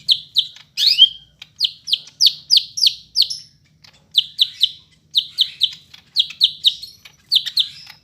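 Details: Bandung, Monday 5 September: a Medan greater green leafbird repeats sharp downslurred chirps in rhythmic groups of two to four, with one sweeping whistle near the start.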